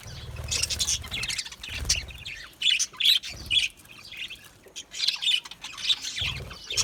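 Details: Budgies giving a busy chatter of high, scratchy chirps and brief squawks in uneven clusters, with intermittent low rumbling thuds between bursts.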